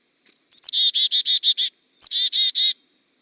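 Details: Black-capped Chickadee in the Albany Pine Bush, New York, in winter, giving two chick-a-dee calls: one or two thin, high introductory notes, then a run of six or seven harsh, buzzy dee notes.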